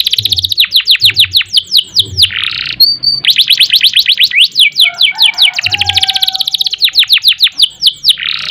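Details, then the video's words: Canary in continuous ngerol and nembak song: rapid repeated descending whistles, a rough buzzy note, a short pure high tone, then rolling trills with a faint steady low tone beneath and soft thumping sounds. "Kenari Gacor Panjang Ngerek Ngerol Nembak"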